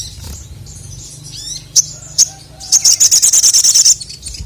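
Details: Male crested jay, a kept bird, singing in a rival-provoking display: two sharp single high notes, then a rapid even rattle of about a dozen high chips lasting about a second, over a low hum.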